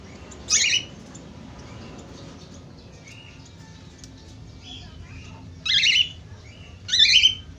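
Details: Budgerigar chatter used to encourage other budgerigars to sing: a loud squeaky burst, then quiet murmured twittering, ending with two more harsh chirping bursts close together.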